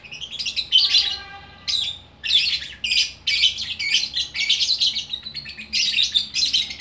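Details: Lovebird in Bukittinggi, West Sumatra, singing in the busy gacor style: dense bursts of shrill, buzzy chattering notes, broken by short pauses, with a faint steady tone underneath.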